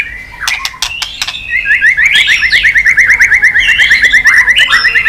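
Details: Chòe lửa (white-rumped shama) singing hard after being stimulated, with tail-flicking. A few sharp clicks, then a fast, steady run of repeated chipping notes held for over three seconds.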